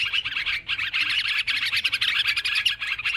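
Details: Brief noisy sooty-headed bulbul chatter from a lure recording: crowded, quick chirps and liquid notes pulsing in rapid bursts.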